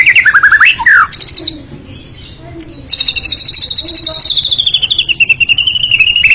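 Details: White-rumped shama, a territorial bird, singing loud varied song: sweet whistled phrases and rapid chattering notes, then a long run of fast repeated chips sliding gradually downward in pitch.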